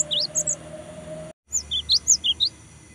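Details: Cinereous tit singing steadily as a lure to provoke rivals: rising upslurred notes alternating with sharper high whistles, in quick two-note pairs. A brief silent dropout near the middle and a faint steady hum underneath.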